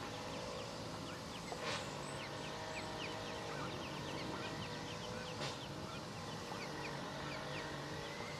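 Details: Ducklings peeping: many short, high, downward-sliding peeps repeated rapidly and overlapping throughout, over a steady low background hum with a couple of brief louder knocks.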